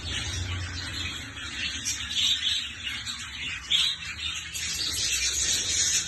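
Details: A black-faced budgerigar chatters in a dense, scratchy run of high chirps and warbles.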